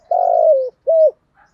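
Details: Decoy spotted dove giving the end of its coo: a long rough burry note sliding downward, then a short clear level coo, low and mellow.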